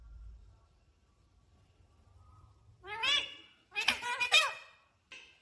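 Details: Talking pet parrot known for saying "Mummy Papa", heard after a quiet stretch of faint room hum: two bursts of rich, harmonic, voice-like syllables, the second longer and louder, then a brief clipped call.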